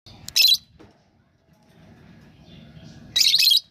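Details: Lovebird calling: two short, shrill, high-pitched chirp bursts, one near the start and a longer one at the end, separated by near silence with faint low background noise.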